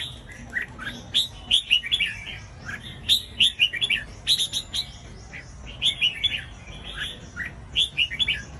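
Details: Song of a red-whiskered bulbul, played to provoke other bulbuls into song: a run of brisk, liquid whistled phrases, each a cluster of rising and falling notes, coming in regular bursts over persistent background noise.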